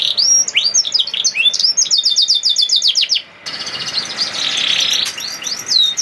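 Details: Canary singing in 'nembak' fashion, intended to prompt other canaries to sing. Quick sweeping chirps and rapid repeated notes are followed by a harsh buzzing stretch and a final upswept whistle.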